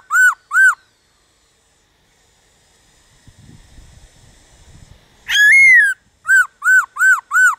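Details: Song of a black-throated laughingthrush meant to prompt other birds to sing: short arched whistles in quick succession, a quiet gap with soft low rustling, then a long rising whistle followed by four more rapid arched notes.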